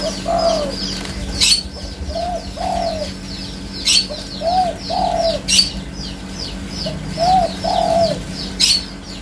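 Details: Repeated soft, mellow coos from a spotted dove, short lead-in notes followed by longer rounded coos in a steady series, against a dense backdrop of thin downslurred chirps from other birds and several loud sharp cracks.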